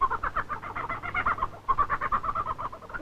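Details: A male superb lyrebird in southeastern Australian rainforest in courting season mimics a kookaburra: a rapid, rolling, harsh, mid-pitched cackling chatter in two long bursts, over a faint low rumble.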